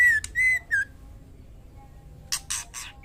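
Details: Female white-rumped shama calling a male while in breeding condition: two level whistles and a short falling note, then after a pause a run of three harsh, rasping broadband notes.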